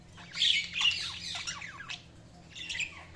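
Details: Soft budgie chirps and squeaky, slurred high notes in two loose bursts with a quieter stretch between them.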